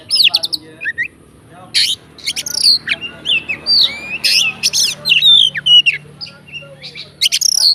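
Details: Oriental magpie-robin, kept as a fighting bird, in song meant to provoke other magpie-robins: short loud bursts of harsh buzzy notes mixed with sweet slurred whistles, separated by brief gaps.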